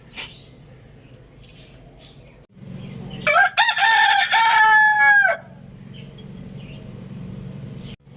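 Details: Lohmann Brown rooster crowing: one loud, drawn-out crow of about two seconds, opening with a rising note and holding a steady harmonic tone before dropping off, with faint chick chirps and low hum before and after.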